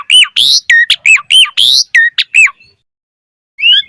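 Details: Repeated phrases from an Asian pied starling singing 'gacor' as a lure: about a dozen loud arched whistled notes alternating with harsh buzzy bursts in quick succession, a second of silence, then a short rising whistle.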